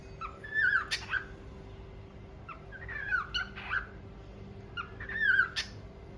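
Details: Cockatiel, one of a pair, sings short bursts of warbling, whistled chirps, repeated every two seconds or so.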